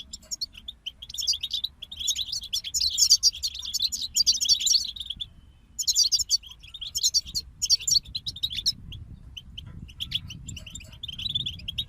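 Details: European goldfinches in a group pour out a dense, liquid twittering chorus for about five seconds, pause briefly, then resume with scattered chirps and trills over a soft low rumble.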